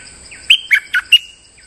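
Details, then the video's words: Lure song of a molting streak-eared bulbul that keeps singing: four quick, strong, chirpy notes with downward slurs in under a second, set against a constant faint high whine. "เสียงนกดอกแตงEp.163 จ้าวขุนศึกถ่ายขน ก็สับปกติ!! Suara pikat merbah lekir gacor"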